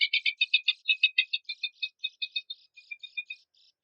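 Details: Horsfield's babbler song compiled as training material for contest songbirds: a fast run of rattling, chattering notes, about four per second, starting loud and fading into softer, clipped chirps.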